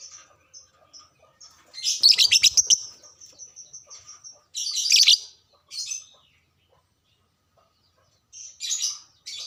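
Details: Caged lovebird chattering to prompt other lovebirds to sing: a fast run of loud rasping chirps, then a buzzy burst, then a long pause before more scratchy high twitters.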